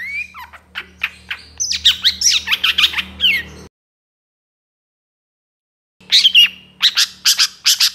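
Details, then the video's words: Shrike training recording: a falling whistle then quick harsh squawky chirps in a fast run, a sudden silent gap of about two seconds, then more rapid sharp notes, over a faint low hum. "MASTERAN CENDET TROTOL AMPUH CEPAT GACOR, PANCINGAN CENDET GACOR FULL ISIAN"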